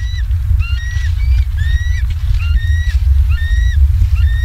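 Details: Southwest Florida bald eagles on a live cam, evening of 28 October 2022: short piping whistled notes, several slurring slightly upward, follow one another rapidly in a chittering series over constant low rumbling background noise.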